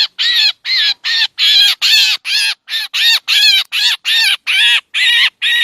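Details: Lure recording of black drongos for trapping: rough, scratchy calls repeated somewhat irregularly, about two and a half each second, varying slightly in length and loudness.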